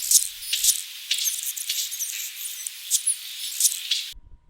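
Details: A male Anna's hummingbird sings on his territory to attract females and warn other males: a thin, scratchy, high-pitched string of buzzy squeaks and sharp ticks in a rough, jumbled phrase lasting about four seconds.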